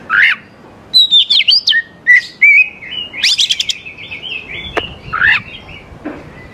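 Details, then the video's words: Oriental magpie-robin singing, used as a lure so young wild birds reply: rich whistled song with bouncing, looping notes and short trills, broken by sharp clicks and a few harsher calls. "KACER GACOR SANGAT AMPUH UNTUK MEMANCING KACER MUDA HUTAN BIAR IKUT NYAUT DAN LANGSUNG GACOR"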